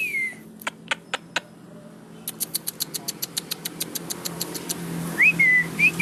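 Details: Asian pied starling singing with head-nodding: a falling whistle, a few sharp clicks, then a rapid even rattle of about twenty ticks, ending in quick rising and falling whistled notes.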